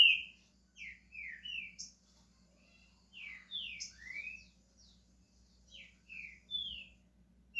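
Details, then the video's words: Softly recorded pet green-winged saltator starting to sing: small groups of brief slurred whistles, falling and rising, repeated with short gaps over a faint low hum. "Trinca ferro SHREK começando a cantar"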